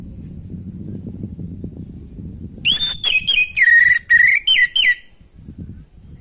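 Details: Song of an orange-headed thrush meant to spark breeding drive in a reluctant bird: a rising whistle, then a string of short, sharp, clipped whistled notes at a steady pace for about two seconds, with faint low noise before and after.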